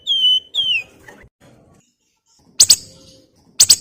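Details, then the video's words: Lively flamboyan in the crecetan singing style: two bright whistles sliding downward open the passage, followed by faint soft rustling and two short, loud, harsh chattering bursts. "BURUNG FLAMBOYAN GACOR NYIUL, NYULING CRECETAN"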